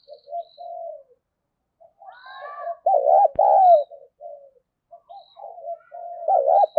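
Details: Female spotted dove cooing to rouse males. Soft low coos lead into loud, wavering, throaty coo notes, and the pattern repeats.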